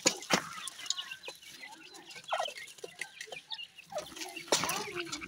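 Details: Young grey francolin chicks in care calling with short high peeps and chirps at an uneven quick pace, a few louder sharp notes near the start and end, with light handling noise.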